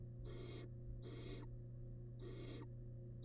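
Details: Wild barn owl nestling feeding on large rabbit remains in a monitored nest box: three loud, harsh hissing bursts of about half a second each, close together, over a steady low drone.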